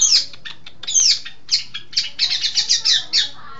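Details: East Java long-tailed shrike, praised as clever and in full voice, pours out a rapid jumble of high scratchy notes, sweeping chirps and buzzy bursts, quickening into a dense chattering run near the end.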